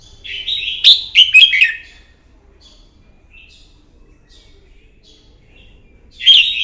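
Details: Morning fighting song of a red-whiskered bulbul, for bird training: a vigorous rapid warbled phrase, a few faint soft chirps during a quiet gap, then a loud burst resumes at the end.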